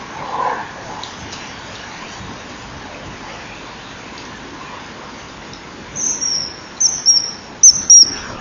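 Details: Male common kingfisher calling as it arrives on the rear perch at a breeding-wall nest site, 10:16 on 21 January 2012; background quiet until a burst of shrill, high, thin piping notes repeated in quick succession near the end.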